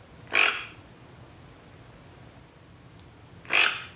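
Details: Female pet toucan giving her croak, used to communicate with and locate flock members and made from morning to late afternoon: two short, raspy, grating bursts about three seconds apart over a quiet indoor background.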